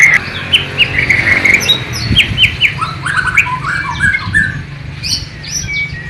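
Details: Bornean white-rumped shama kept in captivity, East Kalimantan, singing a learned sikatan londo and nightingale imitation, low-resolution camera recording: sharp rising whistles in quick succession, then a pause and scattered chirps and downslurred notes.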